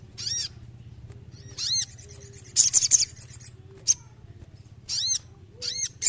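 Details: Sooty-headed bulbul singing vigorously, played as a therapy track for birds lacking drive: short, ringing notes that arch up and down, given in spaced bursts roughly every second, with one quick stuttering run of notes in the middle; a faint low hum underneath.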